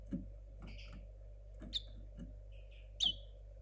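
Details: Young linnet hybrid from 2022, its song still tangled and unrefined while learning: scattered short chirps and a few high, slightly buzzy notes with gaps between, over a steady low indoor hum.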